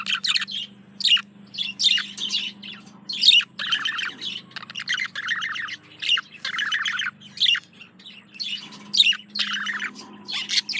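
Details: Male budgerigar courting a female: bursts of scratchy, chattering warble with quick chirps and squawky notes, broken by short pauses, and a faint steady low hum underneath.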